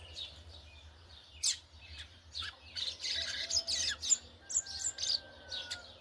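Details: Yellow-bellied Seedeater in brown plumage performing churrio-style song: a run of loud, sharp high chirps and buzzy bursts, denser in the middle, over a constant low hum.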